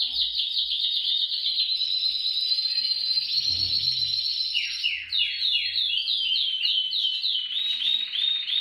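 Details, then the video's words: Canary song for getting canaries to sing: held rolling trill, then a series of quick downward-sliding notes repeated in a fast tour. "TU CANARIO CANTARÁ CON ÉSTE VÍDEO | CANTO CANARIOS"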